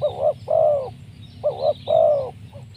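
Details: Spotted dove luring call, a 'mersik' voice meant to attract wild doves. Crisp alternating coos, a short arched note followed by a longer, level then falling coo, repeated twice, with a quiet low background hum.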